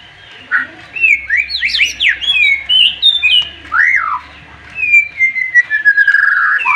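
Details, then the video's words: Excited white-rumped shama song: loud rapid zigzagging whistles climbing in pitch, a looping falling phrase, then long drawn-out whistles sliding downward, with a low hum beneath. "MURAI BATU OVER EMOSI DENGAR TEMBAKAN nya bikin lawan nya ikutan emosi dan ikutan GACOR"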